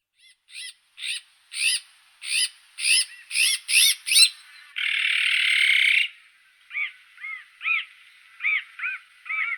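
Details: Azure-winged magpie (Cyanopica cyana): a quickening run of short, arched, nasal notes, then one long harsh rasp, followed by more evenly spaced short nasal notes.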